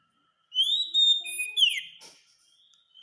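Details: Masteran recording of an Oriental magpie-robin for tutoring caged birds: one long, pure rising-and-level whistle, a second held whistle, then a descending slurred note with a short click after it.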